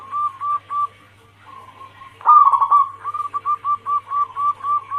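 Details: Zebra dove female calling the male, used to lure birds: a few short coo notes, then one loud vibrating rolled phrase followed by a rapid even series of about ten short notes, with a low hum.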